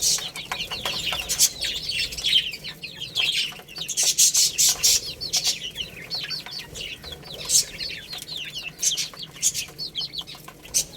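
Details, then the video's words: Baby chickens feeding and playing, a lively chorus of high descending cheeps, repeated several times a second, accompanied by loud scattered pecking clicks and scratching. "Cute Little Chicks Chirping Sounds| Baby Chicken Playing and Eating"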